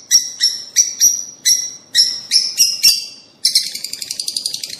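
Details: Rosy-faced and Fischer's lovebirds, sound used to encourage breeding: eight loud shrill chirps in steady succession, then after a brief gap a fast, rapid chatter of many short notes.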